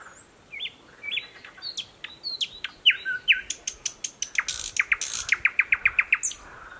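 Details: In thick cover beside a stream in Belarus, a newly returned thrush nightingale sings, 11 May 2021: rising whistles lead into a string of sharp clicks and a rapid series of knocking notes.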